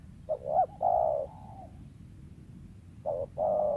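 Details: Spotted dove, wild bird kept for luring, giving a hiccuping double note and a long steady coo, then repeating after a pause.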